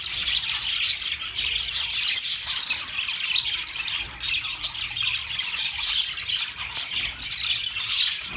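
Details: A flock of budgerigars keeps up an unbroken, high-pitched babble of squeaky warbles and short chirps, with occasional clearer whistled notes cutting through the noisy chorus.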